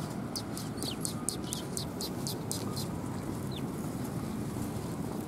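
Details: At a Tenmangu shrine on 18 December 2020, sparrows arriving for food give a rapid run of about ten short, bright chirps in the first three seconds, then one lone chirp, against constant low rumble.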